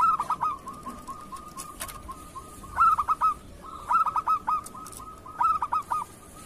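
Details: Local Indonesian zebra dove song used as a tutor to prompt other doves to sing. Four bright phrases of rapid cooing notes, each opening with a rising stutter, over a steady fainter series of similar notes from another dove.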